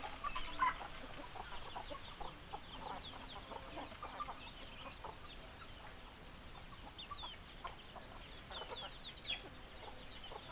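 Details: Flock of hens clucking, rapid irregular short clucks, nearly four a second, rising and falling in busy overlapping chatter.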